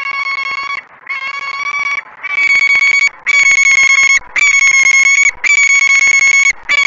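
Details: A female peregrine falcon on the perch berates her mate for landing in the nestbox without food, Great Spirit Bluff, early morning of 28 February 2017. Seven grating, buzzy wails come in quick succession and grow louder, with barely a gap between them.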